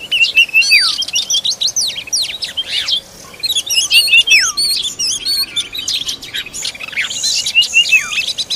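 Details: Oriental magpie-robin delivering food to its young; bright, high whistles and quick descending slurred notes come in short clusters separated by brief pauses, over a soft background twitter.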